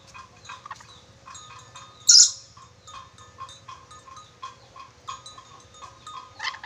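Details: Sulawesi red-breasted parakeet, a bird kept for its many whistles, gives one sharp, high shriek, followed by a run of quiet ticking pips and short notes.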